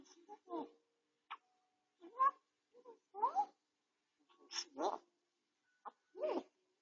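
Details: Home-kept grey parrot, still treated for a sore beak tip, suddenly talking while resting: several quick rising and falling squeaky syllables and clicks scattered over a few seconds, recorded indoors by a home camera.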